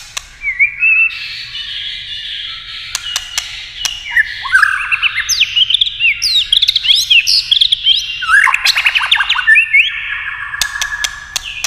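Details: Competition singing of a white-rumped shama with many voices: a long, varied outpouring of clear whistles, rising and falling slurs and rapid trills, broken by sharp clicking notes.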